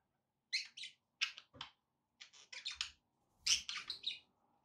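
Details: Pet budgies giving short sharp chirps in small clusters, scratchy clicks and tweets with brief gaps, faint low room noise beneath.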